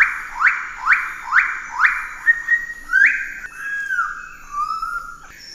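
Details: Pale-billed sicklebill (Drepanornis bruijnii) giving four quick rising whistled notes, about two per second, then longer level and falling whistles; a faint higher whistle sounds behind.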